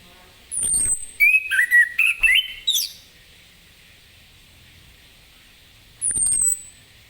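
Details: Lemon-bellied white-eye (anis kembang ngeplong) in the morning, song meant to prompt other birds to sing: a quick run of whistled, rising and falling notes, bracketed by two thin, very high descending whistles, with pauses.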